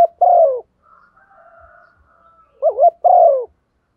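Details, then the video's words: Calling coo of a female spotted dove, a style used to excite decoy birds: long falling low coos bracketing a faint drawn-out thin tone, then a wavering double note and another long descending coo. "cu mái gáy/ tiếng chim cu gáy MÁI thúc gù, tiếng chim cu gáy mái gáy gọi"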